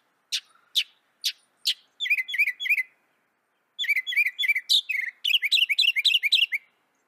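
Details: Singing northern mockingbird of North America: a few separate sharp ticks, then rapid series of slurred chattering notes in repeated groups, pausing between bursts.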